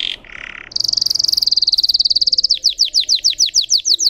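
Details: Canary singing: two short buzzy phrases, then a long, very fast high trill that slows into a series of sharp downslurred whistled notes.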